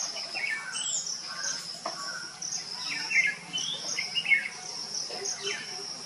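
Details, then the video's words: Common myna chicks, three juveniles in an old coconut tree trunk cavity in coastal Odisha on a sunny day, being fed by a parent; scattered harsh, scratchy chirps and short squeaks over a steady high insect buzz. "Common Myna nest with hatchlings in coconut tree trunk - Parent feeds chicks"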